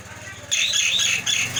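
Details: Nias hill myna bursting into loud, harsh squawking notes with whistled overtones after a quiet half-second, two strong phrases in quick succession.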